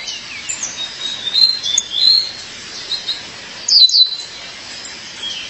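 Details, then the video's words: High sliding whistles followed by a sharp burst of falling chirps near the end come from a female violaceous euphonia calling to her mate. "Fêmea de Guriatã, chamado seu parceiro."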